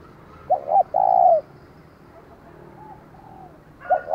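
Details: A captive decoy spotted dove gives a provoking call to draw wild doves: a double note and a long coo, then softer distant cooing, and a new phrase starts at the end.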